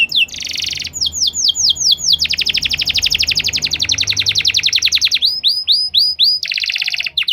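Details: Canary singing a long, fast, unbroken song: a short buzzy rattle, swooping whistled notes, then an extended rapid churring trill, followed by quick bright repeated chips and another rattle.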